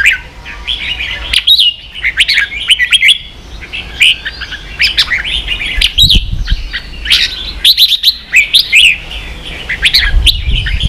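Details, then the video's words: Red-whiskered bulbul delivering energetic 'ché' song for training young birds: a busy stream of chirpy, warbling whistles with brief gaps, and a faint low rumble in the background. "luyện chào mào ché.kích chào nào hót ché căng lửa.kich chao mao boi hot เสียงฝึกลูกนก | นกปรอดหัวโขน"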